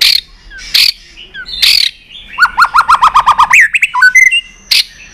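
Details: Tail-flicking white-rumped shama in competition singing: a few harsh bursts, then a quick series of about ten downslurred whistles, ending in high chirps and one more harsh note.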